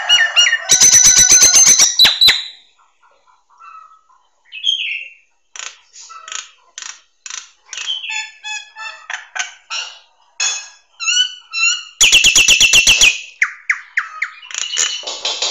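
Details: Nias hill myna singing as a training recording for songbirds: loud raspy and whistled opening notes, a quiet gap, then varied chattering phrases, a harsh buzzing burst and closing squeaky whistles.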